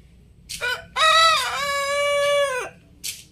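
An Ayam Cemani rooster crows: a brief opening note, then a long, loud, harmonic-rich drawn-out call.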